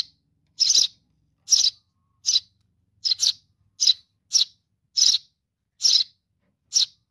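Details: Chick of a Eurasian tree sparrow calling to its mother with a steady series of about ten scratchy, high chirps. They come roughly every 0.7 seconds, occasionally in quick pairs, over a quiet background.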